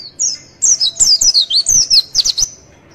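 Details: White-eye song used as a tutor and provoking recording for training songbirds: a fast run of high, thin, twittering whistled notes sliding down and up, about a dozen bright phrases packed into two seconds.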